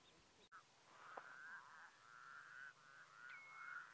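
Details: White-naped crane in Mongolia, 2015: loud, rolling, wavering calls in a mid-high band, sustained almost without pause for several seconds after a sharp click, with a thin whistled tone near the end.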